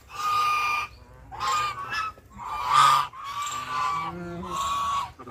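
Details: Duck giving a series of five drawn-out, harsh, honking quacks of nearly a second each, evenly repeated at steady intervals, with little other sound.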